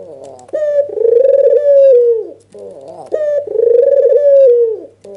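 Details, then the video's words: White red-eyed dove calling hard while nodding in excitement, used to get lazy doves to call. A low murmured start gives way to a sharp note and a long wavering coo. The cycle repeats about every two and a half seconds. "Suara PANCINGAN burung PUTER PUTIH MATA MERAH full ngangguk EMOSI"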